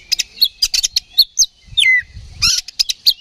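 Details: Oriental magpie-robin singing loud fighting song as a lure to provoke other magpie-robins: rapid high chirps and clicks, a sliding descending whistle, short buzzy bursts, faint low rumble beneath.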